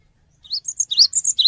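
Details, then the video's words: Cinereous tit song used as a lure to prompt other birds to respond quickly: after a short silence, a rapid run of high, sharp notes, rising strokes alternating with thin flat whistles, about eight notes in one second. "GELATIK BATU GACOR | Pancingan Suara Burung Gelatik Batu Cepat Respon"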